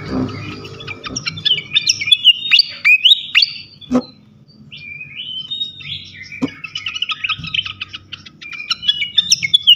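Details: Flycatcher song for provoking other flycatchers. Phrases of quick, high chirps and slurred whistles come in bursts, broken by a couple of sharp clicks and short pauses.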